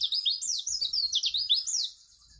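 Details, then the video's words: White-eye (pleci) in full song for training young birds: a rapid run of high, swooping chirps and twitters lasting about two seconds, then quiet. "pleci gacor dor || cocok untuk masteran pleci agar cepat buka paruh"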